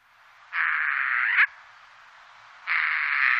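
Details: Eurasian jay, Wittlicher Tal valley, 2018: two long, steady, buzzy screeches of even loudness separated by a quieter gap of just over a second.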